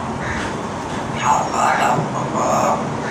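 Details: A pet Alexandrine parakeet speaks a few short, raspy, human-like syllables in two bursts over a steady background hum, reciting "La ilaha illallah Mohammed ur Rasool Allah".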